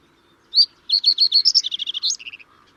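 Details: Common reed bunting (Emberiza schoeniclus) giving a lively, high-pitched phrase: one sharp opening chirp, then a rapid, speeding series of clipped notes that steps slightly lower and ends in a few buzzy chips.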